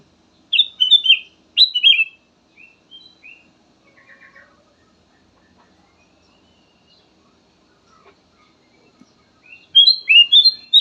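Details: Kutilang emas song: rich, slurred whistled phrases in quick bursts at the start, softer scattered notes and a long quiet stretch, then a fast jumbled run of whistles near the end.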